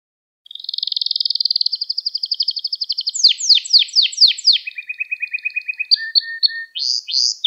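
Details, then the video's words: Canary singing, part of an uninterrupted hour-long recording meant for training young canaries: a long fast trill around mid-high pitch, then sweeping downward notes, lower rolling trills and sharp rising whistles, clean with no background. "Müthiş Ders Gibi Kanarya Sesi Ve Ötüşü 60 Dakika Kesintisiz"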